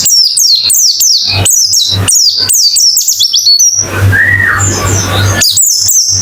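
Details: White-eye song for therapy to encourage singing: rapid series of high, falling whistled notes for about four seconds, then a noisy pause with a faint lower slurred whistle, then the quick notes resume; low hum throughout.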